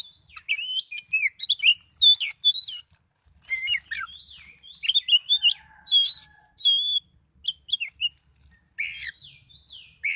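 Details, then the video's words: Highly agitated Oriental magpie-robin pouring out a long, varied song of quick rising and falling whistles, slurred phrases and short chips in rapid bursts separated by brief pauses. "Kacer Gacor Kicau Door Lanjut Emosi Tingkat Tinggi"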